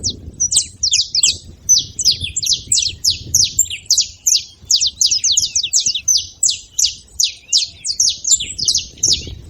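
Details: Saffron finches, several birds at once, keep up an unbroken stream of bright, sharp chip notes, each falling quickly in pitch and repeated several times a second.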